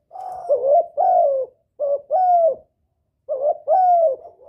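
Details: Spotted dove calling to lure a male. Three pairs of coos, each a short bent note then a sustained slightly falling coo, sound at roughly 1.5-second intervals in quiet surroundings.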